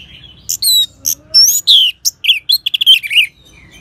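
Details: Orange-headed thrush sound used to prompt other birds to sing, northern Bali: a rapid run of sharp chirps, thin rising whistles and slurred notes, ending in a quick stuttering series.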